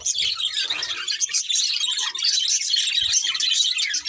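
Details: Short burst of budgie flock chatter: many quick, squeaky chirps run together into a steady high twitter.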